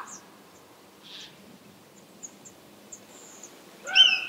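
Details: Red kite, one of three that came in early morning sun in response to whistling from a hide and were chasing each other, gives one brief, thin, high whistle at the end, after quiet with faint small-bird chirps.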